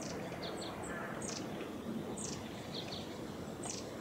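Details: Young long-tailed tit recorded 29 July 2020 at Gongenyama Bird Sanctuary, giving brief high-pitched thin notes in loose bursts, a few doubled, against a constant low environmental hum.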